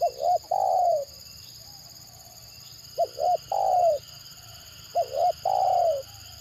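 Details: Captive spotted dove used to lure other doves, its stuttering call made of two quick clipped coos followed by a drawn-out descending coo, phrases repeated roughly every two and a half seconds over a constant background hum.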